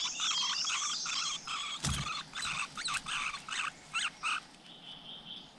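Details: At a nest with chicks in the wild, a flowerpecker gives thin, high chips in quick bursts that settle into a rapid series of sharp notes, with a single dull knock partway through.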